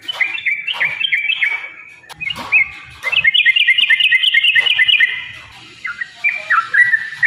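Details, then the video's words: Yellow-vented bulbul, long fighting song to provoke birds into singing: scattered gurgling whistles, a pause, then a fast even run of bright chirping notes lasting two seconds, followed by a few sliding whistles. "trucukan gacor TARUNG ROPEL PANJANG pancingan trucukan agar bunyi"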